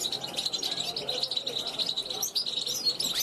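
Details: Young 2021 European goldfinch practising its calls on a balcony to draw wild goldfinches passing by; rapid, repeated high tinkling notes in a tight, chattering run, ending with a rising slurred note.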